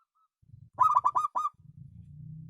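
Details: Local zebra dove described as having a special voice: four to five quick, mid-pitched cooing notes in a tight burst, then a low rumbling background.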